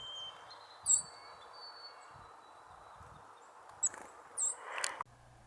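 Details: White-throated Sparrow in spring giving what is taken to be its contact call: a few thin, very high, sharp seet notes, spaced irregularly, over a steady hiss of outdoor background noise.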